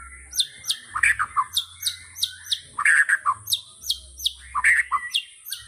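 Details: White-rumped shama (murai batu) in 'tembakan' song: repeated phrases, each a high downslurred note followed by lower rich whistles, coming in a quick steady rhythm about twice per second over a faint hiss.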